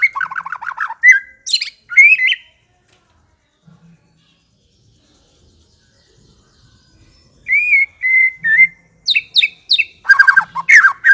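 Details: White-rumped shama song in bursts: a quick stuttering series of notes, sharp high whistles, a long silence, then steady whistled notes and rapid varied phrases at the end.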